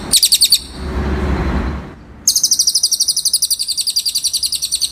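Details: Cililin on a training recording for songbirds: a short burst of high rapid chirps, then a stretch of dull rushing noise, then a long, steady trill of fast, high, repeated notes.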